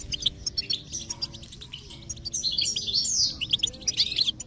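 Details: Quick tinkling goldfinch twitter with sharp chirps and a brief liquid trill near the end, intended to stimulate a silent goldfinch into song; faint steady low tones underneath.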